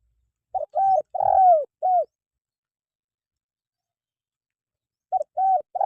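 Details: Spotted dove, used as a tutor call to get caged birds singing: one four-note cooing phrase, a short coo, two medium coos, then a long drawn-out falling coo, with the opening of a second phrase at the end.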